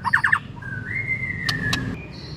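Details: White-rumped shama lure phrase to prompt another shama's song: a quick triple note, then a long, level, pure whistle with two sharp clicks, finishing on a higher thin whistle.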